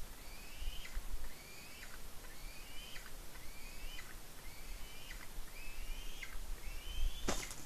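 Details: Juvenile eagle on a Norwegian nest at Smola squeeing excitedly while feeding on a fish delivered by the parent; a regular series of high, thin upslurred squeals roughly once a second, a sharp clatter near the end, constant background hiss.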